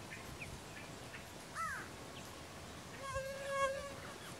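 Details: Galbula ruficauda recorded at Los Tres Gigantes station, Paraguayan Pantanal, in February 2017: an arched, piercing note, then after a pause a longer buzzy, layered tone held for nearly a second, amid faint background chirps.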